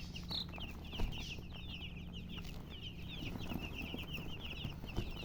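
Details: Colored chickens give a continuous stream of high, thin chirps in quick overlapping bursts, with a low droning hum underneath and a soft knock near one second.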